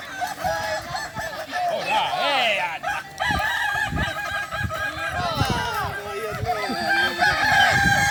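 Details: Boko-class Kukuak Balenggek crowing contest final at Sirukam dairy farm, Solok regency: overlapping roosters deliver wavering, stepped crows, with a brief dip near the third second and human chatter and thumps below.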